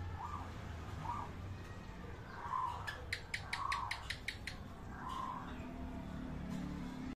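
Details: Local zebra dove producing a series of brief, soft coos at about one-second intervals, accompanied by a run of sharp rhythmic clicks or taps midway and a faint low hum throughout.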